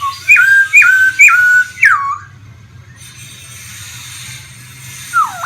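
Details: Laughingthrush kept as a caged songbird in Vietnam, singing during its fanned dance display. Three clear whistled notes, each flicking up then holding level, then a falling slur and a long quiet gap before another downward whistle.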